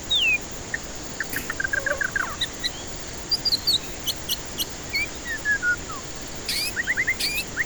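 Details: White-rumped shama song used as a lure for stressed birds that won't sing: a descending whistle, quick repeated chips, scattered high slurs and a falling series of notes, with loud clicks and constant hiss.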